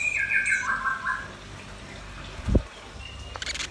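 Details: Red-billed nuthatch and white-rumped shama singing lively: clear whistled phrases stepping downward at the start, then a dull low thump and a brief high rattle near the end.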